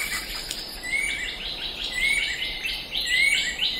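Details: Banded kingfisher (Lacedo pulchella) in Southeast Asian forest giving clear, rising whistled notes about once a second, over fainter chirps from other birds and a steady high insect drone.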